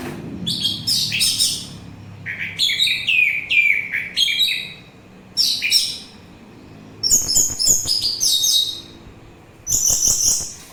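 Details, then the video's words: An orange-headed thrush in full song, recorded for stress relief and for luring birds: loud, rich, warbling phrases mixing high whistles and downslurred notes, delivered in bursts of one to two seconds with short pauses. "Begitu Syahdu Suara Anis Merah"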